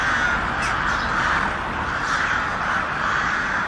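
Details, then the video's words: A steady, unbroken wall of harsh, loud cawing from many crows, with no pauses throughout. "Crows making Noise | Crows Cawing"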